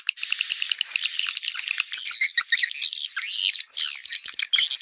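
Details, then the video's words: Swiftlet calling sound to draw in swiftlets, 2021: a steady stream of quick high chirps that shifts into louder, squeaky, warbling twitters over a continuous thin high tone. "SUARA SUPER PANGGIL WALET 2021"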